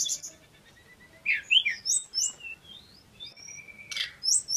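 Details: A male Pygmy cupwing in full song gives a sparse sequence of very high notes: sharp chirps, a long level thin whistle and a few rising and falling slurs, separated by short silences.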